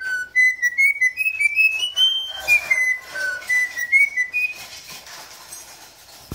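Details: A campo troupial whistles a taught melody, an anthem: clear, flute-like notes stepping upward in a tune-like phrase, then easing back down. No other sounds stand out.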